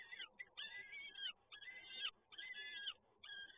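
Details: Peregrine falcon chicks at a feeding, PGE Toruń, Poland, 30 April 2022, repeat nasal, harmonic whining cries over a second, some ending in a brief sharp squeal.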